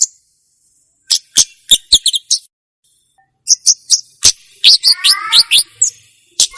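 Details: Olive-backed tailorbird recording for luring and training: sharp, very high chips and short buzzy bursts in quick clusters after a silent start, with a brief falling, harmonic chatter near the end.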